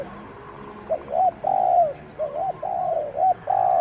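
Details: Captive spotted dove, the sixth decoy bird, kept to lure wild doves, calling in Thailand. It gives mellow, low coos in rolling phrases, one brief and one longer drawn-out coo, repeated about three times in close succession. Background is quiet.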